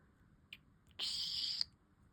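A budgerigar gives a faint tick, then one harsh, scratchy, high screech lasting just over half a second, against a quiet low hum.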